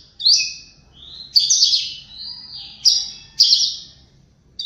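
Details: Oriental magpie-robin in the morning: loud, clear whistles, each starting with a sharp high attack and then sliding into a sustained, slightly falling tone. Four main phrases are spaced about a second apart.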